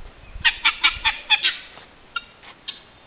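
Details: Guineafowl chattering: a quick run of five or six grating, nasal notes about a fifth of a second apart, then a few fainter scattered notes.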